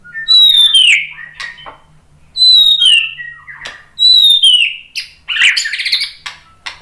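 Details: Murai batu, the white-rumped shama, giving a lure song meant to set other birds singing: three bright whistled phrases that each slur steeply downward, followed by short notes and a final burst of buzzy, scratchy chatter.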